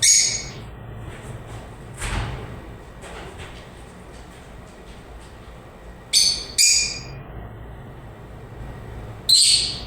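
Lovebirds give shrill, harsh squawking chirps in short bursts, four loud ones spread irregularly over ten seconds, with faint chatter in a quiet room between.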